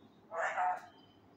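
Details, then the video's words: Male Indian ringneck parakeet learning Urdu words indoors: one brief, muffled, speech-like syllable with two soft swells, under half a second long, in a quiet room. "MY Talking Raw Male parrot try to learn words loudly (kia bol rha ho me,kia howa,kia hogaya,Mithu he"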